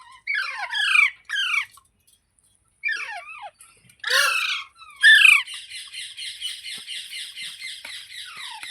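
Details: Parrot squawking in harsh downward slurs, several spaced calls, then a loud screech followed by a steady buzzy, grating trill to the end.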